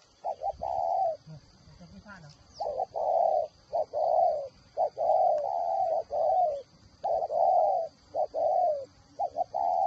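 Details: Whistle-voiced spotted dove kept as a decoy bird in Ba Vì, Hanoi, Vietnam: a continuous run of mellow coos, paired short notes leading into longer sustained ones, with a faint brief sound early on.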